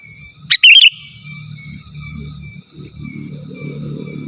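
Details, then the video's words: Sooty-headed bulbul calling rivals: one chirp and a short liquid warbled phrase, then a low murmuring rumble of background noise takes over. "Suara Burung KUTILANG GACOR Asli Tanpa ISIAN Ampun Untuk Suara Panggilan dan Masteran"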